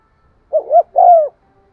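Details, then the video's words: Single coo phrase of a spotted dove, a call meant to rouse decoy birds: two brief swelling hoots followed by one longer, steady mellow note, in quiet surroundings. "tiếng cu gáy gù và thúc giọng son"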